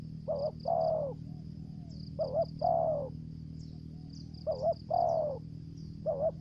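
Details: Spotted dove lure bird from Trà Vinh, Vietnam, cooing in the 'thổ dế' voice style with 'dập' notes and 'mai rừng' voice: a short doubled note, then a longer falling coo, three phrases. A steady pulsing high-pitched insect-like whine and low hum sound throughout.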